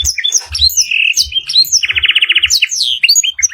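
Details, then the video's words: {'caption': 'Canary song with black-throated canary fill: quick chirps and a held whistle, then a rapid, evenly pulsed trill of about a dozen notes, ending in falling slurred whistles.'} "Masteran kenari full isiaan blackthrot durasi panjang"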